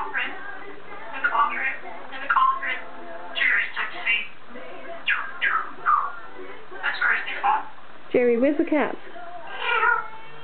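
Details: Indoor pet African grey parrot, male, chatting atop its cage: rapid word-like phrases, whistled slides, and one drawn-out meow-like wail near the end, with a person talking alongside.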